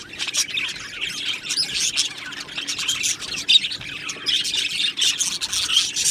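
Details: Colony of Australian budgies in an aviary, giving a steady mix of warbled chirps and rasping notes from many birds at once, with no pause in the flock's chatter.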